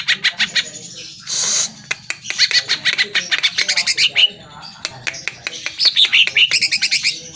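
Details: Greater green leafbird singing, used to prompt caged birds to reply and sing: a dense, varied stream of sharp chirps and quick trills, broken by one brief harsh hiss near the start.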